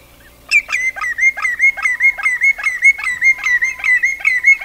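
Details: Common greenshank (Tringa nebularia) call: clear, fluty, ringing notes repeated rapidly, about two or three a second, with faint higher chirps from other birds behind.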